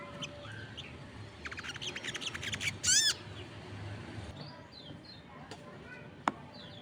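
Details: Crested jay (sogon) in full voice as other birds join in: a rapid run of sharp clicking pulses, then a loud harsh grating burst, followed by scattered thin chirps and a single snap.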